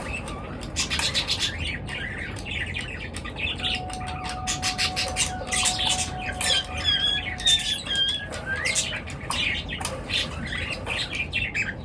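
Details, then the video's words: Bird chatter at morning: dense high chirps and scratchy squawks come in uneven bursts, with a few clear whistled notes near the middle and a constant low hum underneath. "পাখির কিচির মিচির ডাকে সকাল বেলার ঘুম ভাঙা"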